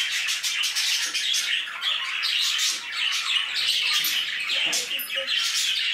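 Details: Aviary budgerigars give constant shrill twittering and squawking, many birds calling at once in a dense, high, scratchy chorus.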